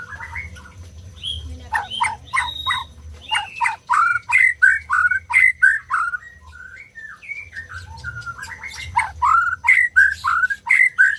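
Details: White-rumped shama singing, used to stimulate silent birds into song. Fast chattering bursts give way to a long string of bright rising-and-falling whistled notes, several per second, with a short pause midway.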